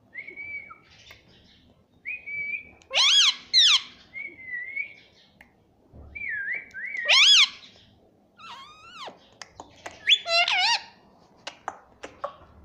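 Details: Pet ringneck parrot trained to talk and say "mummy": clear flat whistles alternating with loud harsh, speech-like phrases that bend sharply downward, repeated in several bouts over twelve seconds.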